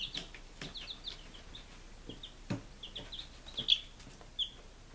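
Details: Baby chickens on their fifth day, kept in Lunenburg, Massachusetts, in July 2017, uttering clear high peeps, some falling in pitch, spaced irregularly, with one louder sharp peep and occasional low thumps.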